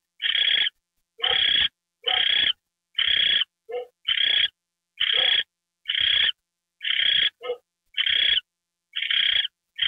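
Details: Owl receiving a mouse treat on January 28, 2013, at 9:33 PM: a long, regular run of rough hissing screeches about once a second, interspersed with a few short, softer, lower chirps.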